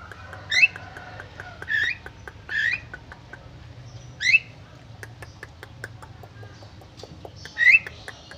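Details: Freshly bathed Javan myna singing steadily, said to answer other mynas. Six rough, upward-sweeping squawks come at uneven intervals, with faint ticking clicks and a low background rumble between them.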